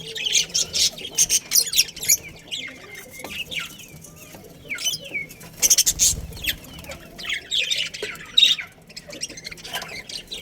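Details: Budgerigar colony with a breeding pair: busy chatter of rising and falling warbled notes, interspersed with sharp, loud bursts at irregular intervals.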